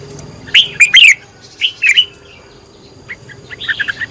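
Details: Red-whiskered bulbul being trained as a decoy singer, giving two quick bright whistled phrases of rising and falling notes, then a softer, stuttering run of short chirps.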